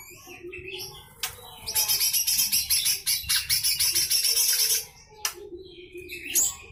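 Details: Full harsh rattling song of a lesser green leafbird, recorded as tutor song for other cage birds. A single sustained rattle of fast, scratchy repeated notes lasts about three seconds, with brief whistled notes before and after.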